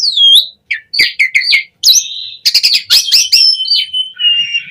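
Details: Asian pied starling in vigorous, energetic song, used as a training recording for other starlings: high whistled notes sliding down, then a burst of sharp chips and bright rising whistles ending in a long thin tone.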